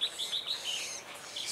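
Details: Red-whiskered bulbul at a trap site where a decoy bird calls to lure wild birds; bright, clipped chirps repeat quickly at a high pitch in a short burst, with steady background hiss.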